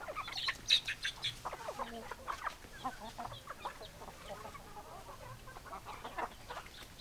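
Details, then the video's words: Flock of chickens, hens and roosters together, with many overlapping short clucks and chattering notes in a dense, irregular stream and a few louder squawks near the start. "Chicken Sounds Noises Hens Clucking Roosters Crowing"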